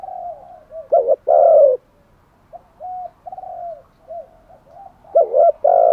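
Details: Spotted dove serving as a lure for wild doves murmurs soft low coos, breaking into a loud doubled note and long coo, with another loud phrase at the end.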